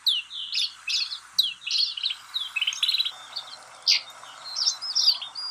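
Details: Chirping from snow buntings at Kananaskis, Alberta, Canada: rapid bright tweets and short buzzy calls, repeated in loose clusters, with one louder sharp note near the end.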